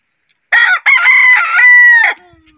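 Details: Daytime crow of a rooster, loud and clear: a short opening note, a brief break, then a long, steady, strained phrase of over a second, ending abruptly with a low fading tail.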